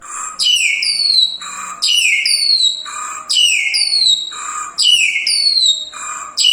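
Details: Crested myna singing lively, full song, described as a rare bird: a repeating loud phrase of sharp high whistles sliding downward, followed by a lower buzzy note, cycling about every one and a half seconds.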